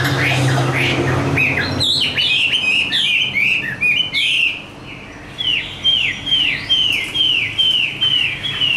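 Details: Tame hwamei, a Chinese songbird praised for fighting song. Low rumbling handling noise opens, then bright whistled notes begin, building into a fast series of downslurred whistles repeated about twice per second.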